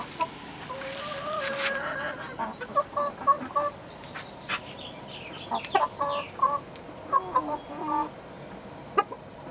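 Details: A flock of chickens recorded on 7 June 2016, busy overlapping clucks and drawn-out murmuring calls repeated throughout, some higher squeaky notes mixed in, above a low steady hum.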